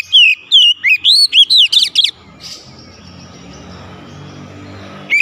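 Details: Oriental magpie-robin, caged, delivering a two-second run of about eight loud, looping whistled notes rising and dipping, followed by a low background drone and a single note at the end.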